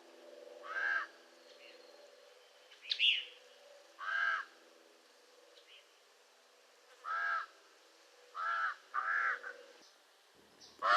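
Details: Raven calling: rasping caws, some doubled, separated by silences of one to three seconds, with a brief higher squeaky note near the start and a sharp click at the end.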